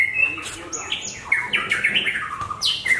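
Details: Caged Javan white-rumped shama of the Larwo type, hung at a singing contest, delivering a rich varied song: clear whistled notes jumping between high and low pitches, sliding down-slurs and sharp high flourishes in quick succession, with faint background chatter.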